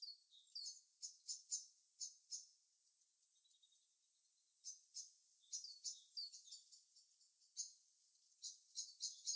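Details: Birds chirping in their natural habitat, irregular clusters of sharp high notes separated by quiet stretches, with short twittering runs near the end.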